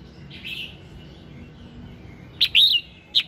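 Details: Red-whiskered bulbul singing at dawn, played to prompt singing: a soft slurred note, a pause, then a loud, bright bubbling burst followed by one sharp clipped note.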